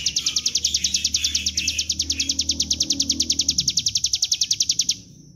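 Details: Bar-winged prinia in a rapid ngebren drilling sequence used as a lure to make birds sing: crisp high notes repeated about four per second for five seconds, then stopping abruptly, with faint lower sounds beneath.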